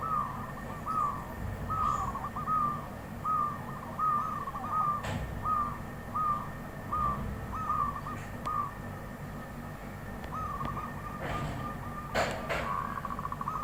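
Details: Zebra dove in the wild giving its soft cooing song, short purring notes repeated roughly every half second in a steady series, followed by a longer rolling trill, with a faint low hum and occasional clicks.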